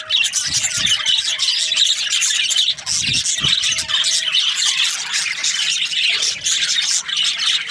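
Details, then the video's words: Budgerigars in breeding season, several birds chirping together in a dense, continuous chatter of high warbles and squeaks, with a faint steady hum underneath. "Happy budgies chirping sounds | breeding season"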